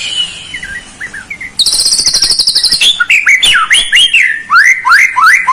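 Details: Song of a white-rumped shama, played to provoke a lazy bird to sing: soft warbled notes, then a fast high buzzy trill, then loud slurred whistles and sharp descending notes.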